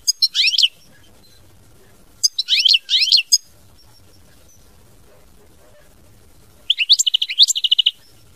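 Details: European goldfinch in 'mama binette' song style, delivering three separate bursts of high, liquid twitters and downward-slurred notes spaced by pauses of a few seconds, the last phrase a longer tinkling trill.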